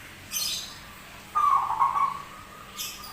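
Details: Zebra dove known for an odd voice and frequent singing: one short, bubbling coo phrase between two brief rattling clatters.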